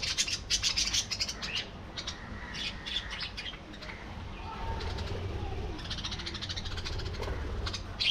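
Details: Aviary colony of budgerigars: dense bursts of scratchy, clicking chirps from several birds, fading briefly midway then resuming, over a low humming background.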